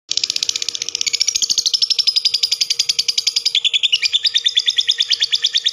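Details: Lovebird giving a long chattering song: a fast, continuous run of high buzzy chirps, about ten notes per second, dropping slightly in pitch midway, with a faint steady hum in the background.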